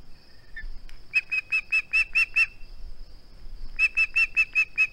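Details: On a nest-cam recording from 21 August 2020, a male osprey clutching a flounder calls in two bouts of evenly spaced, clear, high whistled yelps, seven notes each, separated by a pause, over a steady high whine.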